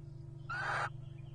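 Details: During courtship at nest boxes in 2023, a wild Little Owl utters a single brief rasping call with a faint whistled tone inside it, set against a low background hum.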